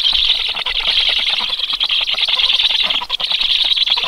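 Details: Black stork young at the nest on 13 July, stirred into food-begging by an unfamiliar visiting stork; shrill, tightly packed chirping runs continuously with a few brief dips.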